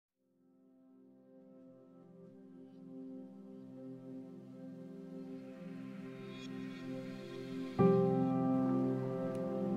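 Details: Gentle ambient music swells slowly from silence into a fuller chord near the end, with no crane calls or other animal sounds.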